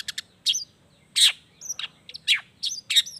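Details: Long-tailed shrike song stuffed with imitated natural calls: harsh scratchy notes alternating with thin high squeaky slurs, delivered in short separated bursts.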